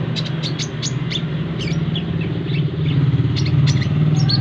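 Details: Brown-throated sunbird exposed to a crowded roadside to get used to bustle; repeated high, sharp chirps, about two per second, against loud, heavy traffic rumble.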